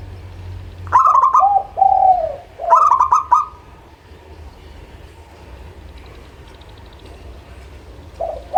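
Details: Local zebra dove song as a singing lure: two quick runs of staccato clicks leading into rolling, hooting coos, a third similar phrase, then quiet hum before a final soft coo starts.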